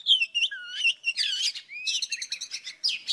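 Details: Old forest Oriental magpie-robin in morning song for trapping: a sweet falling whistle and low slurred note, followed by dense scratchy chatter and rapid clicking trills, ending with a loud burst.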